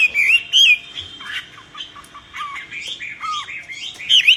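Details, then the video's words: Common hill myna song: bright whistled notes rising and falling, interspersed with lower, softer slurred calls and a final loud whistle. "طائر المينا يغرد بقوة"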